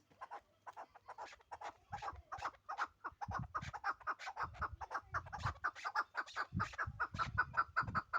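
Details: Chukar partridge from the Pamir giving rapid, irregular chuck notes, soft at first and then quicker and denser, with intermittent low thumping sounds.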